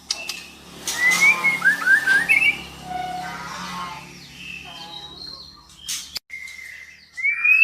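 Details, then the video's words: Calls of a female white-rumped shama, used to provoke a male into singing. A quick cluster of twisting whistles comes early, followed by softer, scattered notes and a loud rising whistle at the end. "Suara murai betina memancing murai jantan gacor"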